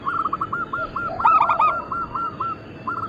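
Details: Cooing of a local Bangkok-crossbreed zebra dove kept as a lure to set others calling: a long run of quick, evenly spaced soft coo notes, louder in the middle, with a noisy hiss behind.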